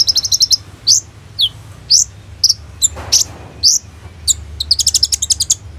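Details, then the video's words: Sunbird song rich in varied phrases, used as a lure for young sunbirds, phone recording: a fast high trill, sliding whistled notes spaced about every half second, ending in another rapid chipping trill. "SUARA BURUNG KOLIBRI NINJA GACOR FULL ISIAN TEMBAKAN MEWAH, DIJAMIN COCOK BUAT PANCINGAN KONIN BAHAN"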